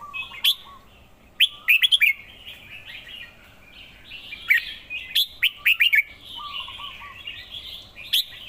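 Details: Red-whiskered bulbul repeating its lively phrase twice: sharp, bubbling chirp bursts joined by rambling warbles, with a quieter series of low, evenly spaced whistled pips at the start and middle.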